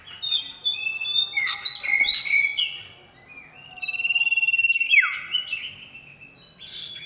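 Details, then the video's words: Male common iora calling a female: rapid chirps and slurred whistles, a steady held whistle, then a downward-sliding note and a few final chirps. "Cipoh Jantan Gacor Panggil Betina"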